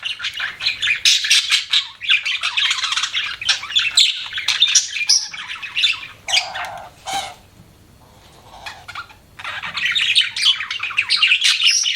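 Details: Budgerigar chatter of scratchy chirps and squawks, with a lower harsh note around six seconds, a near-silent pause of about two seconds, then renewed busy chirping.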